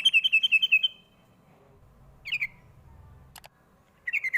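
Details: Sooty-headed bulbul lure call meant to draw replies from young birds: a rapid run of six bright chirps, then a short falling chirp pair and a later cluster of three, with a sharp click between.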